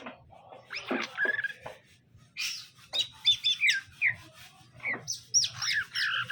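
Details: Caged greater green leafbirds, male and female, put together so they pair and settle, give a varied run of rough chatter, whistled slurs and bright chirps in irregular bursts over a faint low hum.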